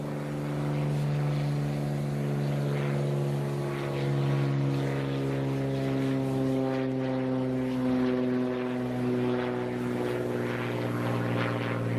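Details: A steady propeller aircraft engine drones throughout, with no animal calls audible.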